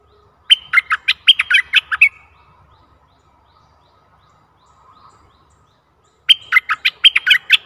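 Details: A decoy bulbul luring a very old wild bird, 11 August 2021, gives two bursts of fast, chattering whistled notes, about eight each, separated by roughly four seconds of near silence.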